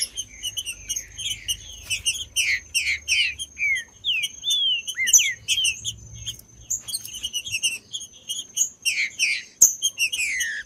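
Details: Green-winged saltator song for stimulating tournament birds: a rapid run of loud falling whistles, about two or three notes a second, in several phrases across the recording, with high chirps and a continuous faint whine.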